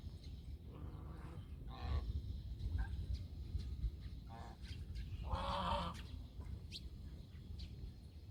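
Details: Repeated honks from a domestic goose, uneven in spacing, building to one loud, long, harsh call near the end, with low rumbling noise throughout.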